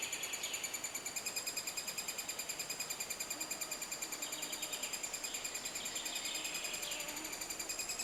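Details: Three-toed woodpecker nesting in Estonia, in a self-dug hole in decaying wood. Continuous stream of quick, metallic, ringing pulses at an even pace, with faint rising chirps from another bird now and then beneath.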